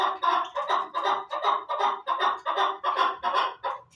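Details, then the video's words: Chukar partridge giving a steady run of harsh, clucking chuck notes, about two or three per second, each burst broad and rough, repeated evenly through the whole stretch. "Кабки Дулан"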